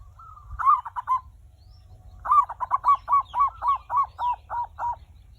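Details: Zebra dove lure song: a brief trio of bubbling coos, a pause of about a second, then a longer steady string of around ten soft repeated coo notes, clear against a quiet background.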